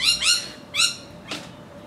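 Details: Rainbow lorikeets in Australia: two quick grating squawks, a third after a pause, then a softer noisy burst.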